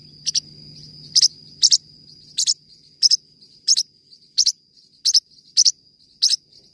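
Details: Forpus parrotlet singing a lively series of bright paired chirps, around eleven in under seven seconds at an irregular pace, over a continuous faint high whine and brief low hum.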